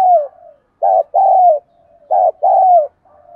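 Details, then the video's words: Spotted dove kept as a decoy to lure wild doves, calling in the 'đồng gù đấu thúc' style; paired husky coos, a brief note then a drawn-out falling one, with soft purring between. "Cu gáy mồi ĐỒNG GÙ ĐẤU THÚC GỌI bổi nhanh nổi, Cu gáy giọng hạp bổi nghe là gáy"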